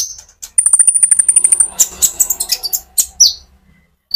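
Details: Lure recording of a sunbird (konin) singing energetically to excite other sunbirds; a long steady very high whistle over quick chips, then a jumble of sharp notes and two falling squeaks, with faint low background rumble.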